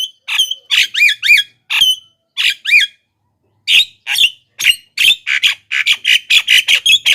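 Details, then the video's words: Javan myna calling loudly as a lure for wild mynas: whistled, rising and falling slurs mixed with harsh chattering squawks. After a short pause it breaks into a rapid, dense run of scratchy notes. "suara BURUNG JALAK KEBO,gacor menggelegar,semua jalak kebo auto nyahut"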